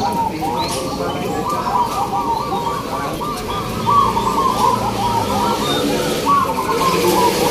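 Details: Many local zebra doves (perkutut lokal) singing (manggung) at a judged contest at Gantangan Singosaren, Yogyakarta, Indonesia, in the first free-class session: dense overlapping rolling coos form a continuous chorus, with people talking beneath.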